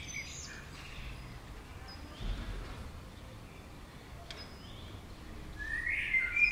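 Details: Common swifts passing by a house give thin, high screams, faint at first, then one loud shrill rising scream near the end, over low background rumble.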